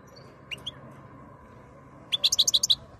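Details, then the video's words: Singing European goldfinch called khloui, in breeding condition in 2022: two soft chirps, a silence, then a rapid string of about six bright, high, evenly spaced twittered notes. "تغريد الحسون جاهز ليتزاوج chont chardonneret"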